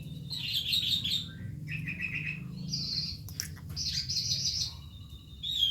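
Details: Calandra lark, a young bird still learning its song, kept as a tutor to prompt other birds: varied chattering phrases with buzzy trilled bursts, a lower rattling segment, then brighter twittering, over a steady low hum.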